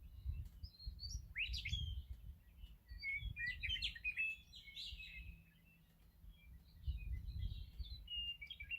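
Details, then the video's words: Meadowlark singing in the morning: bright whistled and chirping phrases, one sharply rising swoop followed by clustered warbling notes, then quieter higher twitters near the end, over a low rumbling background. "Sounds of Meadowlarks in the morning!"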